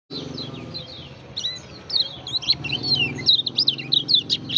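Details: Lemon-bellied white-eye from Lombok singing busily: fast, high twittering of thin slurred whistles and chips, rising in energy, over a steady low droning hum in the background.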